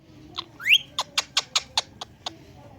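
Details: A pet Indian ringneck parakeet perched on a plant gives one sharp rising whistle, then a quick run of about seven dry, clicking chatter notes, five a second, over a faint background hum.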